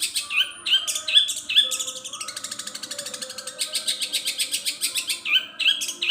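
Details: Long-tailed shrike singing borrowed songs of other birds: clear whistled notes alternating with fast rhythmic buzzy pulses.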